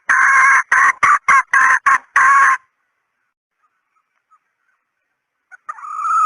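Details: Hen red junglefowl decoy call: seven quick, harsh clucks in about two and a half seconds, then quiet, then a drawn note begins to rise at the end.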